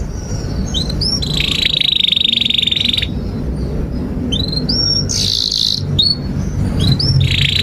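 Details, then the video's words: Canary song used as a training master for young canaries learning to sing: long rapid trills alternate with upswept whistled chirps, a sustained buzzing roll repeated three times over steady low background hum. "Kenari GACOR PANJANG INI Cocok untuk Masteran KENARI PAUD dan Kenari Macet"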